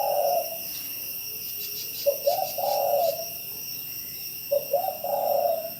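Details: Spotted dove in Bao Loc, Lam Dong, Vietnam, giving low hollow coos: two short notes followed by a longer drawn-out coo, the phrase repeated, over a steady high insect buzz.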